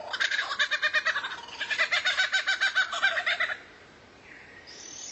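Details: Rare bird used to tutor kacer: rapid, rhythmic chattering of raspy notes, nearly four per second, in two long bursts, then quiet with a faint high hiss.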